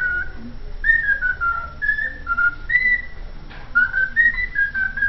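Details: A pet cockatiel (Nymphicus hollandicus) whistles the learned Vasco da Gama anthem, a mimicked tune of clear, pure notes stepping up and down in a steady melodic phrase, with faint room noise behind.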